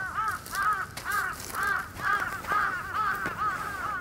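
Red-crowned cranes give loud, ringing, trumpet-like notes, each arching up then down, repeated about twice a second in a steady run, with faint background hiss.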